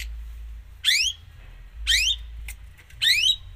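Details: Long-tailed shrike from a gacor song full of isian, giving three loud, harsh, scratchy notes about once a second, each sweeping through a broad range, with quiet gaps between.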